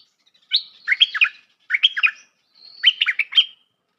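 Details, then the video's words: Bulbul, known locally as merbah lekir, in a recording used as a trapping lure: three quick chattering phrases of sharp, bubbling notes, each nearly half a second long, with short gaps and a thin rising whistle before the last, on silence. "Suara pikat merbah lekir"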